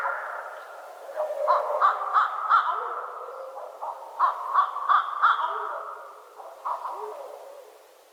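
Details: A pair of barred owls trading calls, their strange repertoire heard as harsh, rhythmic cackles in short runs of four or five notes, with pauses between bursts and the calling fading toward the end.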